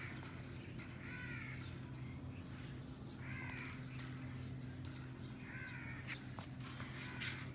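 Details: On a cage with a green ringneck, an Alexandrine parakeet plays and calls: three coarse, scratchy squawks spaced nearly two seconds apart, with faint clicks and a low droning hum underneath.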